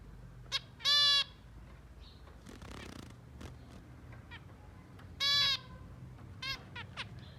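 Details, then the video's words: Zebra finches, shown eating and cleaning, give two loud, drawn-out nasal honking calls about four seconds apart, with faint clicks and a few short squeaky notes between them. "Zebra Finch cute birds singing"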